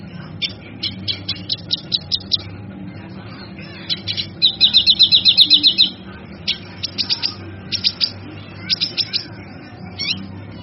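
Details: Male kinoy singing for training other birds: spaced sharp high chirps in small groups, a dense buzzy trill lasting over a second in the middle, then more clipped chirps; low hum throughout.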